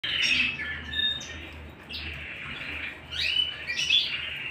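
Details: Canary singing at home: bright warbled phrases with sweeping notes that rise and fall, broken by short pauses, over a faint low hum.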